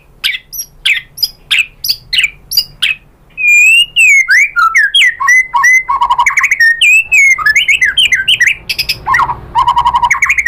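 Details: White-rumped shama singing to prompt other shamas to answer: sharp high notes at first, then loud, rich, fluting whistles that twist up and down, ending in fast buzzy trills and repeated lower notes.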